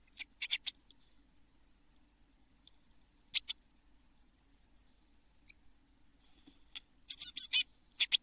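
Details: Eurasian blue tit nestlings in a nest box in June 2022, before fledging: scattered brief groups of high scratchy calls separated by quiet stretches, ending in a louder cluster of rapid chirps.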